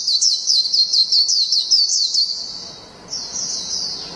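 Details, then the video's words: Japanese white-eye singing in the long ngalas style: rapid, high, chattering twitter of tightly packed notes for about two and a half seconds, a brief pause, then the same bright warbling resumes and trails off. "PLECI NGALAS JAPAN NGALAS PANJANG"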